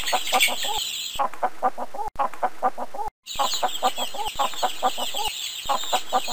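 Chickens clucking in quick, short, throaty bursts, several a second with brief pauses, while small birds chirp high in the background.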